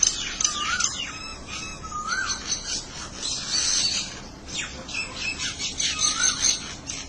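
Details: Several birds calling back and forth, described as talking with each other: a mix of high squawks and chirps overlapping, with clear whistled notes that rise and fall, some sliding upward, over steady background hiss.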